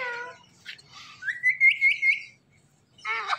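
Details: Indian ringneck parrot talking: a short word-like harmonic phrase, then a rising, wavering whistled warble, and another brief word-like burst at the end.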